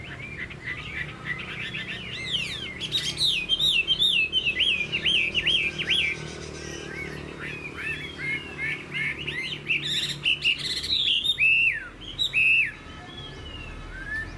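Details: A caged Chinese hwamei kept for song delivers looping, whistled phrases, then a stretch of quick, chattering, jumbled notes, ending with a few loud, downslurred whistles separated by short breaks.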